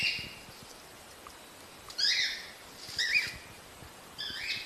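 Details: Cockatiel calls played to encourage breeding: loud rising-and-falling screeching whistles in short bursts around two, three and four seconds, separated by quiet background.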